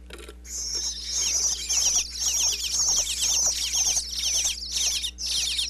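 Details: Inside a Pennsylvania birdhouse, baby bluebirds chirp loudly at a feeding visit from their parents, picked up by a wireless mic pushed through a back crack: continuous high, piercing chatter in rapid bursts, nearly unbroken, with a low hum beneath.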